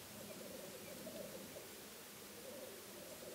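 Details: Short stretch of black grouse bubbling, watched from a hide over a weekend: an unbroken, gurgling low warble with a slight wavering pulse, set against a strong steady hiss.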